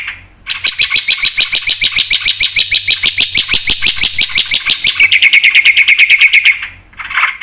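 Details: Lively black-winged starling song rich in fill-in phrases. A fast train of sharp, high, chattering notes, about three each second, shifts midway into a denser buzzing rattle, with brief pauses at start and finish.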